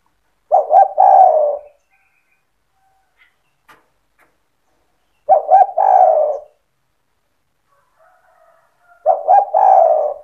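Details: Spotted dove singing in the cetretan style, used to provoke other doves into calling: three low, husky cooing phrases, each a stuttered double note then a drawn-out coo, spaced about four seconds apart with quiet gaps.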